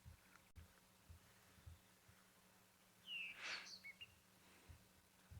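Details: A thrush (probably a rather-type thrush) sings from a perch at dawn, declaring territory, one short clear whistled phrase of quick high notes over a low vehicle rumble, Ngala Private Game Reserve, South Africa, during a morning game drive.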